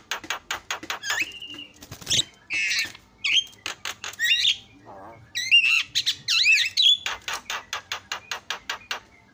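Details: Asian pied starling song used to provoke other starlings into responding: rapid repeated harsh clicks and chatters broken by bright whistled notes and a brief low nasal phrase, loud and varied throughout.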